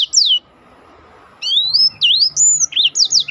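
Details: Black-throated canary song for training contest birds: a single high descending whistle, a pause, then a chain of rising and falling slurred whistles.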